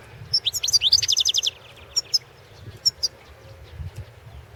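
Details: European goldfinch singing in a 2016 world championship song competition: a fast run of bright, tinkling, twittering notes for about a second and a half, then a few scattered high chips over a low background hum.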